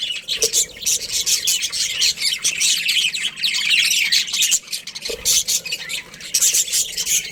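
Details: Colony of colourful budgerigars, a breeding pair among them, giving a dense, continuous wash of high chattering chirps and squawks with no pauses, many birds calling over one another.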